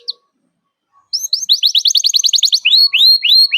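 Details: Vigorous canary song directed at a rival, meant for young canaries to copy: after a brief pause, a fast trill of upswept chips, then slower loud rising slurs repeated in sequence.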